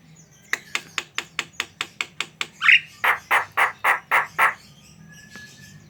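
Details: Javan myna song for provoking other mynas: a quick train of about ten sharp clicking notes, a squeaky whistle, then six louder harsh rasping notes in even rhythm.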